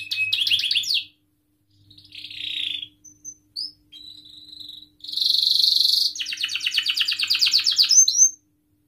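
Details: Canary song used to coax young or silent canaries into singing, broken into bursts: a rattling trill, a buzzy phrase, a few short whistles, then a long dense trill and rapid rolling notes, with silent gaps between.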